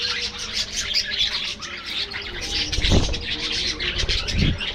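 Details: Aviary budgie colony in full chatter, loud overlapping high chirps and warbles, with a couple of dull low thumps partway through like wings or perch movement.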